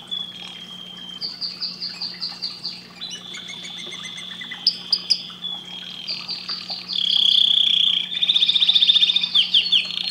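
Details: Canary song with sequences of rapid repeated notes, sustained whistled tones and a loud buzzy high trill near the end, low hum beneath.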